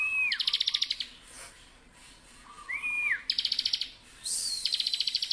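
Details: Bar-winged prinia in loud, energetic song: a slurred whistle that rises then falls, followed by a rapid, buzzy, high trill of about ten even notes. The phrase repeats twice, and a third trill begins at the end.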